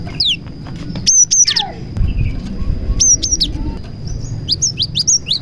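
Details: A cinereous tit delivers prinia-imitating song meant to lure other tits. Short groups of piercing high chirps and slurred notes come in separated bursts, over a constant thin whine and a low rumbling background.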